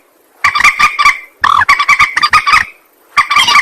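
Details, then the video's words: Harsh, rapid clucking of a rail used to lure birds for trapping, delivered in three tight bursts of nasal, double-toned notes separated by short pauses. "Suara pikat burung mandar"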